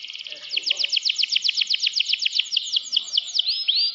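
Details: Canary in a cage giving a fast rattling trill of rapid repeated notes, steady for about three seconds, ending in a couple of longer rising whistles.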